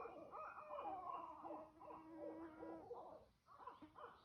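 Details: Barred Owls give wavering, overlapping hoots and wild, caterwauling cries that rise and fall in pitch, with a short pause before another burst; bats are flying and a mosquito is present.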